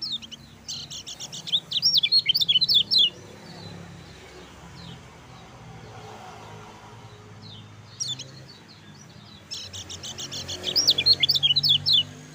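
Lemon-bellied white-eye singing two bursts of rapid, high, sweet twittering notes that slur up and down, separated by a quiet pause with faint background hiss.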